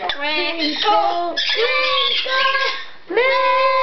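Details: Captive blue-fronted amazon singing on request in a room, producing rich, tuneful sustained notes with gliding pitch, one long phrase followed by a brief pause and a rising restart.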